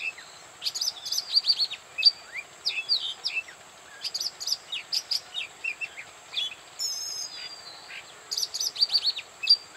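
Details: Oriental magpie-robin singing at Bada, North 24 Parganas, India: a varied stream of sweet, high whistles, slurred upward and downward notes and short trills in bursts with brief pauses, over a steady high insect-like hum.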